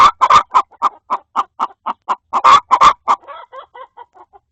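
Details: Agitated hen in a coop fussing at another hen laying an egg: fast run of loud clipped clucks, several louder harsh squawks near the middle, then trailing off into softer, quieter clucking.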